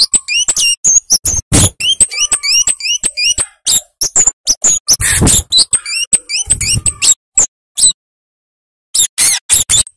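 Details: Flowerpecker in lively, full song, a sharp high series of short clicking and ticking notes with repeated hooked whistled phrases, delivered in rapid bursts separated by brief pauses.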